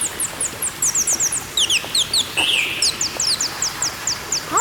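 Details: Colourful parrot giving quick runs of sharp, high, descending chirps, repeated several times a second, with a brief buzzy trill near the middle.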